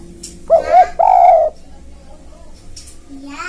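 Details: Spotted dove lure call for catching wild birds: two short coos and a longer rolling coo, followed by faint background voices and soft clicks.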